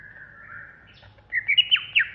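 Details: Greater green leafbird of the Banyuwangi type in an agitated ngentrok outburst: a faint low whistle, then a quick series of loud sharp chipping and slurred notes.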